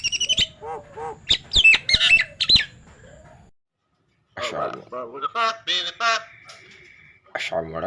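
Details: Nias hill myna, said to be a talking bird, producing harsh voice-like squawks and rich buzzy phrases in two bursts separated by a short silent gap, ending with a low rattling sound.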